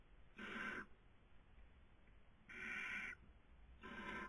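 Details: Barn owl (Tyto alba) on a nest webcam in Cabañeros National Park, Castilla-La Mancha, Spain, during the 2020 breeding season, gives three harsh, hissing screeches, each about half a second long, with gaps of one to two seconds and a faint hum underneath.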